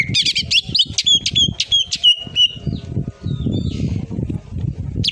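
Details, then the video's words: Greater green leafbird gives a fast run of high, sharp whistled notes over two seconds, then a softer buzzy phrase, with low thumping and rumbling underneath. "cucak ijo//full tembakan"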